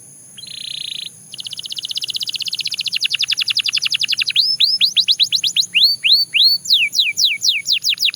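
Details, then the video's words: Belgian canary song opening with a flat buzzy tone, then a long trill of rapid repeated notes that gradually slows into separate loud downward-swept whistles and varied chirps, steady and high-pitched. "Canary Singing Sound – Belgian Canary Edition"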